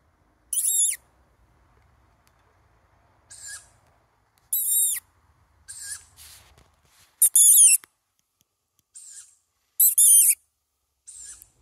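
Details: Young tawny owl calling for food: harsh, hissing screeches of under half a second, repeated irregularly every one to three seconds, louder calls alternating with fainter, softer ones against a quiet background.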